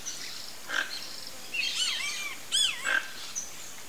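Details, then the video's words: A flock of toco toucans vocalizing: two short, rough, harsh croaks about two seconds apart, mixed with looping whistled notes from other birds over steady background hiss. "TOCO-TOUCAN flock Toucans vocalizing (RAMPHASTOS TOCO)"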